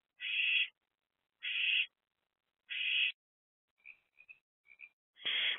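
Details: Owlets, three of them in a nest box, 13 April 2024, morning hours: three even, breathy hisses about half a second long and a second apart, then faint short chirps and a final rasping hiss.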